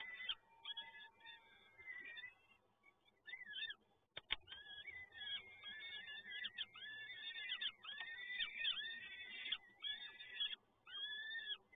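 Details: Begging of young peregrine falcons during a feeding at PGE Toruń, Poland, on 30 April 2022. Strained, nasal wails run in a dense series, with a short sharp click near the fourth second and brief gaps between bursts.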